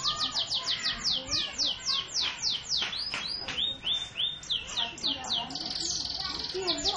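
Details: Canary song: a fast run of bright descending whistled sweeps, then level piping notes and a dry rapid rattle-like trill, continuing without pause, with faint voices and clutter underneath.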